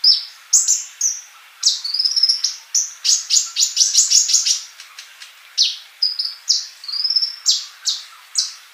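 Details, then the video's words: Male sunbird in full song, used to teach young birds that do not sing yet; steady run of high, sharp chirps, rising whistled slurs and short quick trills, almost without pause. "Kolibri Ninja Jantan Gacor buat masteran yang masih bisu"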